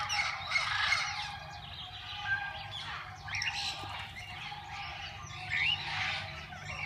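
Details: Mixed parakeets chattering in a parrot-zoo walk-in aviary where people feed them; dense warbling twitter with short whistled notes and rising chirps, a faint low drone throughout.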